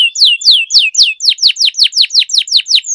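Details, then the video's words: Canary tutor song with long rolls. Five broad descending whistles, then a quicker run of about ten evenly spaced falling notes, clear and loud. "Canary Singing Training, Kenari Gacor Ngerol Panjang,Pancingan Kenari Macet, Masteran Kenari Paud"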